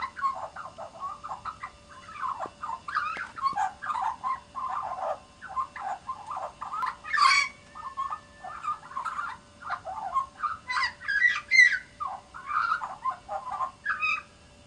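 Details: Australian magpie in Canberra warbling a long, rambling song of rich, fluty and gurgling notes that jump between low and high pitches, with a faint steady hum behind.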